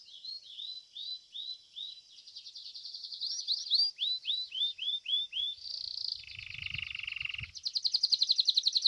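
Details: Belgian domestic canary singing at a seventh-edition contest: repeated down-slurred whistled notes about four per second, a rapid buzzy trill, a lower steady rattling roll over faint low thumps, then a bright fast trill.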